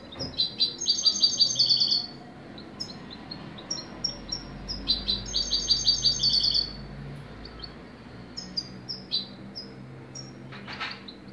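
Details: European goldfinch song in two lively bursts of fast, jangling twitters and buzzy trills, separated by a quieter stretch of scattered high chirps, ending with a few sharp call notes.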